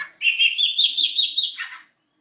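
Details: Long-tailed shrike singing 'roll speed rapat': one continuous warbled, wavering phrase of quick notes lasting under two seconds, ending in a lower harsh flourish, followed by silence.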